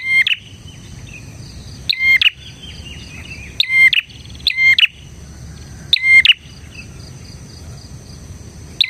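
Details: Vocally active bar-winged prinia, used as tutor and lure sound: bursts of loud, stuttered chirps with whistled notes at uneven intervals, some in quick pairs, above a steady high background hum.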